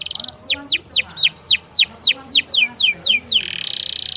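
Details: Canary singing to coax a quiet canary into song. A brief buzzy trill leads into about twelve clear downward-sweeping whistled notes, evenly spaced, four per second, ending in a dense buzzy trill.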